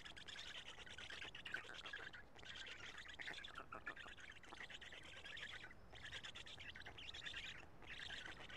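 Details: Black stork at a Karula nest on 2 June 2017 around 13:59, the male feeding the chicks; rasping, hoarse calls in dense bursts fill the recording almost continuously, with short breaks, over a steady background hiss.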